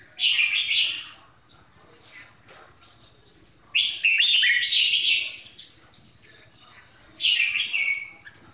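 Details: Red-whiskered bulbul with a golden voice, singing slowly and clearly. Three bursts of bright, chattering, warbled song come a few seconds apart, with soft background noise between phrases.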